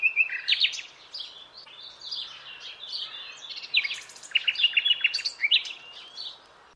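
A common nightingale sings a fast, varied string of high whistles, chirps and rapid rattling note bursts, with no other sounds heard.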